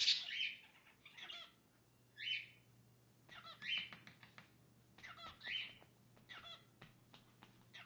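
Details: A male pet cockatiel sings bursts of bright, warbling whistles and chirps with brief pauses, bobbing his head and singing to his owner's slipper.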